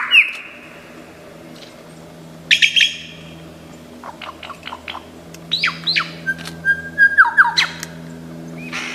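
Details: Lyrebird from Australian forests, famed for imitating other sounds, giving scattered mimicked calls: a brief bright whistle, a burst of rattling notes, sparse thin chirps, then a quick descending chattering series, over a soft low hum.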